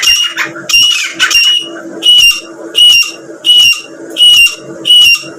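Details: Grey francolin female calling, a teetar voice used to lure birds for hunting: shrill, high, whistled notes repeated in regular phrases about once every second, each with a sharp bright peak.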